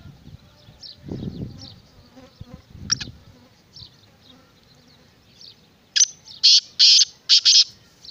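A black francolin gives a loud, harsh run of five grating, clicking notes near the end, after faint high chirps and a low rumble of handling or wind.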